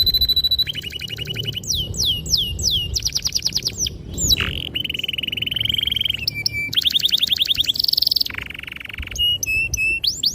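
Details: Canary singing a long, loud training song used to lure young and silent canaries into singing: rapid repeated trills, downward-sweeping whistles, buzzy rolls and sharp tonal notes switching every second or so.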